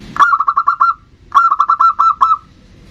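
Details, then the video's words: Lure recording of a bodronoyo zebra dove: two close phrases, each a rapid string of six or seven short, rounded, level-pitched coo notes, with little else heard. "Pancingan perkutut bodronoyo gacor super ampuh untuk pancingan."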